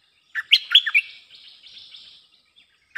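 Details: Bulbul song used as a lure for wild birds: a quick burst of bubbly, chortling notes that rise and fall, then a softer warbling trail, with a new phrase starting at the end. No background noise.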